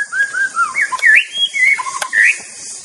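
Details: White-rumped shama in the wild, singing a varied run of clear whistled phrases sliding between low and high pitch, with a steady high insect drone behind.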